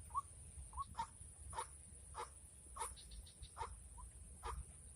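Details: White-breasted waterhen, lured in a trapping session during the rainy season: short nasal notes repeated about every half second, some with sharp clicks, over low rumbling background noise.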